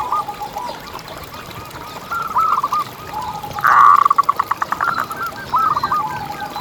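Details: Local zebra dove singing as a lure for other zebra doves: faint, scattered cooing phrases, then a loud, rapid rattle of clipped notes midway, followed by softer coos.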